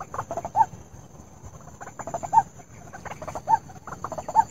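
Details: White-breasted waterhen call played as a lure for trapping: harsh, nasal croaking notes in quick clustered bursts, each ending in a sharper squawk, repeating about once a second over a steady faint high-pitched electronic hum.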